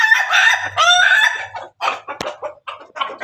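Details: Pelung and Ketawa chickens together: a rooster's harmonic crow in the first second and a half breaks into choppy, stuttering bursts, like a laugh, with a short sharp click midway.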